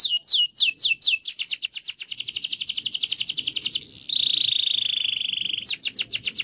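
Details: Canary song used as a lure to prompt silent canaries to sing: fast rolling trills of high, downward-sweeping notes repeated several times a second, then a long steady buzzy trill, then more quick chirps.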